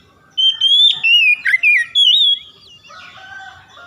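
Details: Oriental magpie-robin song, used to stimulate untrained birds that are reluctant to sing: a burst of loud, clear whistled notes, rising and falling and sliding downward, lasting about two seconds, then quieter faint chatter.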